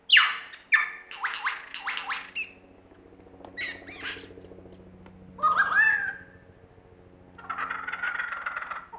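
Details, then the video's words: Lyrebird in Australia performing mimicry: a varied sequence of loud rattling bursts, looping slurred whistles, a burbling warble and a long harsh buzzy phrase, with a faint low hum beneath. "Lyrebird performance"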